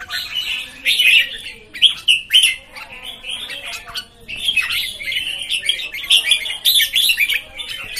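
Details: Red-whiskered bulbuls, newcomers, singing in quick bursts of warbled, bubbling notes and sharp chirps. Louder clusters come near the start, a short lull follows, then a long run of overlapping phrases.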